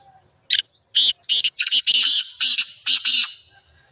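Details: Black francolin calling: a loud, harsh, grating phrase of about seven rasping notes in quick succession, several clipped and a few drawn out. A faint high whistle trails off at the end, and the background is otherwise quiet.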